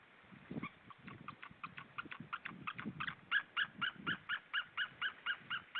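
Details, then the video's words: An adult eagle calls at 10:03 as it flies from the camera, giving a run of high, yelping notes, about four a second, growing louder and clearer toward the end over a low rumble. "adult eagle call"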